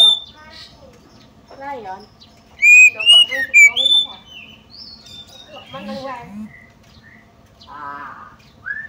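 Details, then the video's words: Female White-rumped shama call used as a lure to make males agitated, sing and spread their tails: a burst of five loud whistled notes mid-clip amid scattered harsh, buzzy and chattering notes and softer twitters. "PANCINGAN AGAR KACER CEPAT EMOSI, GACR DAN BKA EKOR || KACER BETINA"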